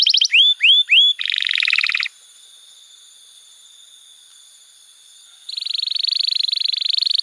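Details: Canary training song for young birds: three short rising whistles, a dense buzzy trill, a long near-silent pause, then a sustained rapid buzzing trill to the end.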